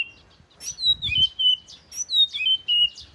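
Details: Oriental magpie-robin, southern Thai bird, the first of its home, singing clear whistled notes that slide down from high to steady tones, in short phrases about every half second, with faint low rumble beneath.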